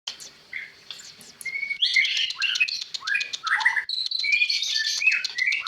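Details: White-rumped shama, locally called murai batu, singing a varied rich song of whistled phrases and rapid chattering notes, with sweeping downslurred whistles that grow louder after the first two seconds.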